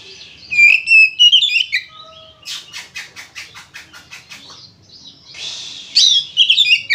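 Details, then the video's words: Oriental magpie-robin in full, spirited fighting-style song meant to prompt others to sing. Bright warbled whistles give way to a rapid train of harsh buzzy notes, about four per second, before the whistled warbling returns. "SUARA BURUNG KACER GACOR NGEPLONG NARUNG ini ampuh buat PANCINGAN KACER AGAR BUNYI"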